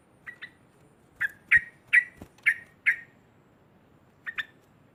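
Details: Provocative loud 'ngekek' chatter from a sooty-headed bulbul: a soft double note, then five loud sharp notes spaced about half a second apart, a gap, and a final soft pair, with faint low background rustle.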